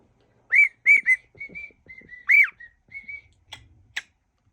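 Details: Pet cockatiel whistling a mash-up of songs: a few clear whistled notes, some short and sliding up then down, others held and level, with quiet gaps and faint room clicks between them.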